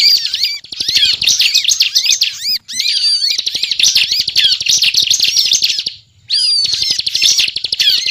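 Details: Prinia (ciblek) in full continuous 'ngebren' song, played as a trapping lure: loud, tightly packed chatter of rapid upslurred notes in long bursts, broken by two short silences.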